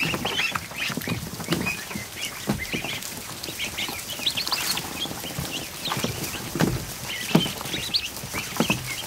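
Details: Crowded kiddie pool of more than 100 newly hatched ducklings in a barn, afternoon; many overlapping shrill peeps in clusters, with loud splashes and patter of water throughout.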